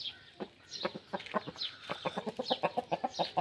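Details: Aseel rooster singing for a hen: steady short clucks that grow faster and louder toward the end, with thin high chirps and whistles in the background.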